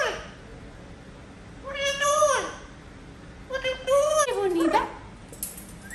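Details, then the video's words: Amazon parrot kept as a pet, crying indoors after its bath: two drawn-out, meow-like wailing cries that bend upward then drop, separated by a quiet pause, over a low room hiss. "Loro llorando porque lo bañaron"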